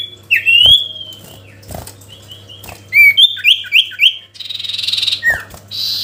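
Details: Sooty-headed bulbul calling a rival: mixed slurred whistles and a quick chattering run of notes, followed by a harsh, buzzy burst and a final downward whistle, with a steady low hum beneath.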